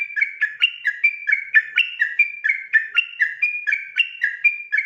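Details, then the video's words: Sooty-headed bulbul singing in the fast, persistent ropel style at night, used as master recording for training other birds; a rapid unbroken run of clear whistled notes alternating between two pitches, about four per second, with no other sounds. "burung trucukan ropel ngotot dimalam hari"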